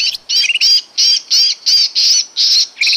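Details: Sooty-headed bulbul call played as a lure for catching birds. About nine harsh, scratchy squawks follow one another at even spacing, each carrying a faint rising chirp.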